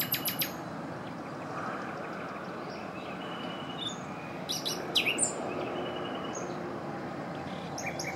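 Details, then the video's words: A male common nightingale sings from hiding by a small stream in Granada province, Spain, on 22 April 2020: short varied phrases, rapid high repeated notes, scattered chips and a sharp whistled flourish over rushing water. "Ruiseñor común cantando desde su escondite"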